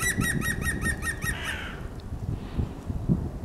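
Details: European green woodpecker (Picus viridis) by the Żerań Canal on 9 March 2021 gives a quick laughing run of about eight ringing, even-pitched notes, then one slurred note, over a low steady rumble.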